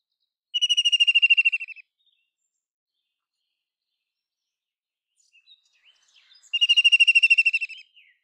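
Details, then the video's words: Two fast whinnying trills from a White-throated kingfisher about five seconds apart, each roughly 1.3 seconds of rapid pulses, with a few soft, scattered notes just before the second. "White-throated kingfisher Call Song ! White-throated kingfisher Sounds"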